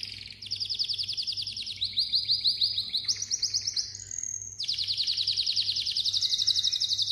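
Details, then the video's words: Malta canary singing a sequence of rapid rolling trills, each section shifting pitch in steps, with a brief clear whistle in the middle before a long, fast, buzzy trill closes the phrase; a low steady hum underneath. "kanarya ötmesi - Malta kanarya ötümü"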